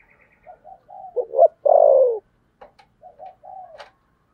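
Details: Spotted dove with the 'thổ sấm' voice doing thúc gù: soft, short preliminary coos, then a sharp doubled note and a loud, long falling coo, followed by quieter cooing notes and a few faint clicks.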